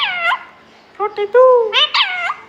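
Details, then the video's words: Pet green talking parrot, said to call out its own name, gives nasal, speech-like squawks: a falling note, then a quick series of short harmonic syllables ending in a drawn-out, bending call. "Parrot sound Bolne wala totha talking Parrot calling Mithu"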